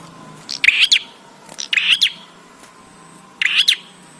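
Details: A bar-winged prinia sings, used as training audio to make prinias sing: three loud bursts of sharp, high, rapid chirps, two close together and a third after a short pause.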